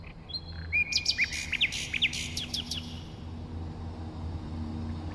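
A nightingale gives a short burst of song: a clear high whistle, then a quick run of sharp, varied chirps and trills lasting about two seconds, over a low steady hum.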